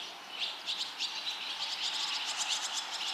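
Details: Young barn swallows leaving the nest, five chicks fledging together in two and a half minutes, encouraged by many already-fledged chicks nearby; dense strings of thin, high, twittering chirps, several birds calling at once.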